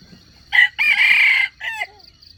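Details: Wild junglefowl rooster crow played as a lure to trap wild chickens: a short opening note, a long harsh sustained middle and a brief falling ending, over a steady pulsing insect drone.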